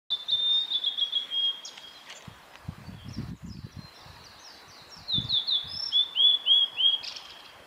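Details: A male blue-and-white flycatcher sings clear, high whistled phrases broken by quick slurred notes on the Kanazawa forest road at Lake Miyagase on 26 April 2015.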